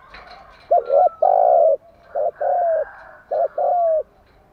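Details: A spotted dove coos in the morning, a recording played to coax doves into singing: three phrases, each a stuttered short note leading into a longer smooth coo.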